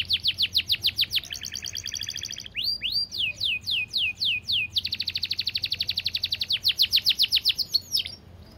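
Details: Canary song with quickly changing phrases: rapid downslurred notes, a buzzy trill, slower rising-then-falling whistles, a long fast rattle, and more sweeping notes, delivered clearly and continuously.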